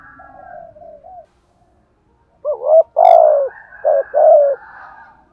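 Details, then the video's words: Soft, low coos give way to a loud spotted dove phrase in the thúc gù and gáy gọi styles: a quick rising hoot, a long, rich coo, then two more swelling coos. "chim cu gáy bài vở nhất hiện nay( thúc gù, Gáy gọi. bài bản )"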